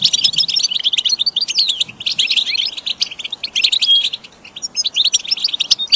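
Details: Goldfinch singing for a caged-bird training recording: tumbling high twitters and quick slurred notes with one clear whistled note near four seconds, then a short gap before the twittering resumes.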